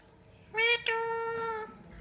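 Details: Talking Indian ringneck parakeet, the kind locally called bolne wala tota, producing a drawn-out, voice-like tone in two parts, with a short break after the first syllable, in a small indoor room.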